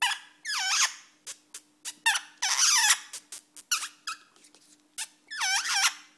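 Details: A male pet rainbow lorikeet gives wavering, squeaky chatter mixed with sharp kissing smacks, bursts coming every second or so over a faint steady hum.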